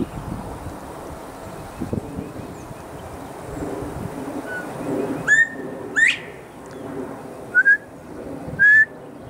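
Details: A loud male northern bobwhite in a Texas tree trades whistles with a person. After a noisy start, clear rising upslurred whistles and shorter steady whistles are spaced a second or two apart.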